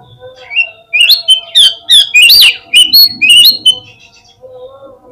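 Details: Lure song of an Oriental magpie-robin, used to provoke birds into replying and fanning their tails: loud, rapid run of varied whistled notes, sharp rising slurs and clipped chirps, with a soft low tone at the end.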